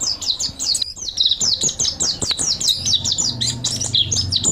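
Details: Energetic mountain white-eye song for training other birds: nonstop high, sharp twittering and chirping, very rapid and dense, with a faint low hum in the background.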